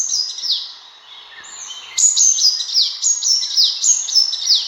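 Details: Sunbird call played as a hunting lure: high, thin, down-slurred notes, first a short series and then a brisk, evenly spaced string of sharp falling whistles.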